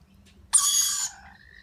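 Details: Lorikeet chick feeding with its parents: one harsh, buzzy squeal of about half a second sliding into a thin, drawn-out whine, over a faint low background hum.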